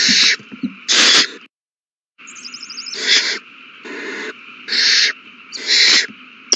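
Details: Nest of owl babies during a big feeding on 27 March 2020; loud scratchy hisses, a short silent gap, then more regular hissing bursts above a steady hum.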